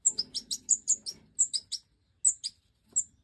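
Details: Breeding-season European goldfinch (Major form), 2024: a fast run of about ten high paired chirps, then sparse single notes, over faint low rustling.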